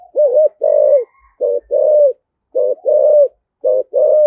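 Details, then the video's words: Spotted dove luring call, described in a Vietnamese local style called giọng thổ: loud repeated low cooing phrases, each a short coo followed by a longer drawn-out coo, about one phrase per second, clean background. "cu gáy giọng thổ, cu gay giong tho cuc dinh gay gọi"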